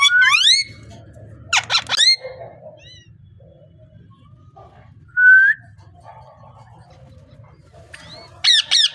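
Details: Parrot producing a few loud, harmonic squawking notes at the start and end. A single short rising whistle comes in the middle, with long quiet stretches and a low hum between.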